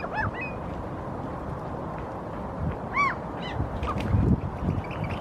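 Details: A Eurasian oystercatcher standing on a rock in Helsinki, Finland, in April 2023 gestures with its wings while giving a few short, arched piping calls, spaced unevenly, over steady low rumbling wind or surf.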